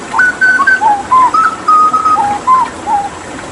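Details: Hooded butcherbird from Papua, in tembakan-style tutor song for training other songbirds, given water therapy: a fast run of about ten pure fluted whistles, alternating higher and lower pitches, some slurred, evenly spaced in a rolling melodic phrase.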